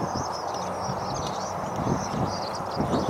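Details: Thousands of swallows twittering together, with dense high chirps overlapping without pause over a heavy low roar and some dull knocking sounds.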